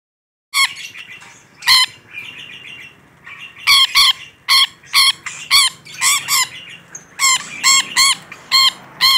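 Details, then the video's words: Rainbow lorikeet in full, vigorous voice: loud, harsh, rasping screeches in quick bursts, about a dozen over nine seconds, with softer chattering notes between them. "Suara Burung Nuri Pelangi Gacor"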